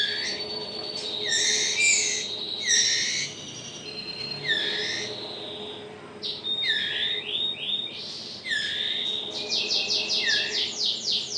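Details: Hand-fed 20-day-old white-rumped shama chick begging at feeding time: repeated rasping calls sweeping upward, some long and wavering, coming in quick bursts, ending in a rapid stuttering series, over a constant low hum.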